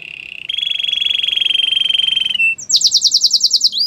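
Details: Belgian canary delivering a long, even, rolling trill held on one pitch, followed by a quick run of bright, high repeated chirping notes and a brief dipping whistle.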